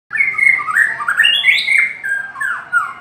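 A White-rumped shama pours out a continuous, varied song of rich whistled phrases, sliding up and down, with no other sounds.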